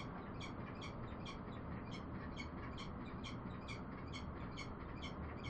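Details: Bellbird giving short, bright ringing notes in a fast, even series, roughly two per second throughout, over a steady loud low rumble of background noise.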